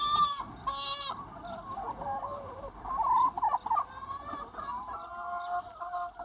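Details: Chickens calling in a free-range flock of about two hundred birds on a sunny spring day; two sharp, harsh squawks open, followed by a busy wash of warbling clucks and nasal, wavering notes.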